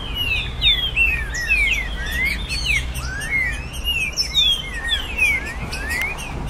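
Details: Green-winged saltator singing in virada caratinga style, captive tournament bird, recorded to fire up caged birds: rapid chain of ringing whistled slurs, mostly descending, interleaved with short rising notes, steady low background rumble.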